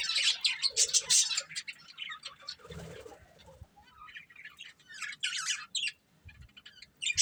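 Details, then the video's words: Breeding pair of budgerigars chirping in bursts of bright, scratchy high notes, with pauses and a soft flutter of wings near the middle. "Cute Budgies Chirping Sounds | Love Birds Breeding Pair"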